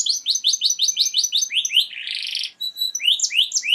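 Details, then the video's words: Canary song for mating: quick repeated chirping notes, a short buzzy rattle in the middle, then a sharp clear tone and more rising slurred phrases. "تغريد كناري رهييييب Terrible canary tweet"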